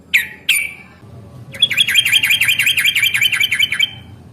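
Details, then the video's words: Yellow-vented bulbul in fighting song, a long lure recording to make bulbuls sing back: two sharp down-slurred chirps, then a fast, even warbling trill of about twenty wavering notes lasting over two seconds. "trucukan gacor tarung ROPEL PANJANG pancingan trucukan agar bunyi JADIKAN burung trucuk GACOR nyaut"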